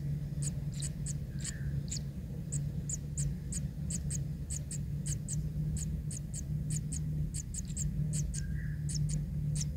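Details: Bare young kingfisher nestling receiving fish from a parent, giving a long even run of sharp high ticking chips with brief pauses, over a constant low hum.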